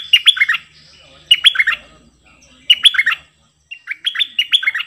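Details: Cream-vented bulbul performing double song on 18 June 2021, with four phrases of swooping whistles about a second apart and a faint low hum beneath.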